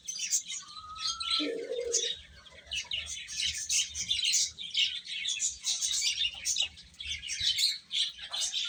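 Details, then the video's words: Chicks eating and chirping constantly, rapid overlapping high peeps throughout; near the start a slightly rising whistled tone is followed by a short lower call. "Cute Chicks Chirping Sounds | Little Baby Chicken Eating"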